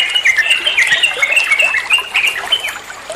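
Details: Short burst of olive-winged bulbul song for training songbirds: fast, clear whistles, several notes a second, sliding and overlapping in a busy, warbling chatter over light hiss.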